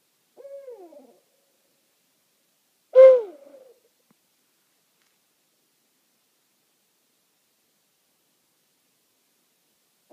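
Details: Night owls calling in a meadow on Rattenbury Rd, two birds responding to each other: a soft descending hoot, a pause, then a louder sharp-onset hoot sliding downward, then quiet.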